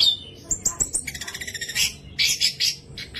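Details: Orange-headed thrush singing to make other thrushes sing: a quick series of evenly repeated high chips, then loud buzzy trilled phrases and bright high notes.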